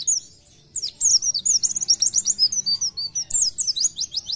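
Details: Short burst of Oriental white-eye gacor nembak song, for stimulating other white-eyes: after a brief silence, a fast continuous stream of thin, high twittered notes and quick trills runs to the end.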